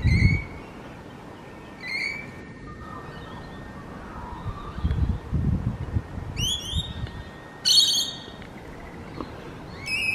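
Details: Rainbow lorikeet calls: early shrill notes, then a burst of harsh, stacked screeches mid-way and a final squeal, against low rumbling background noise.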